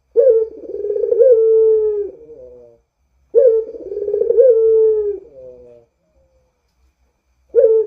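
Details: Barbary dove giving a drawn-out moaning coo used to lure other doves: low, rolling coos about two and a half seconds long, each swelling then fading with a slight wavering, repeated with roughly one-second silences between them.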